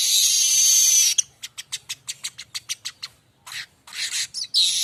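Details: Streaked weaver (manyar kembang) song meant for tutoring magpie-robins and other songbirds: a long harsh hiss, then a fast even series of clicking ticks, followed by rasping buzzy bursts.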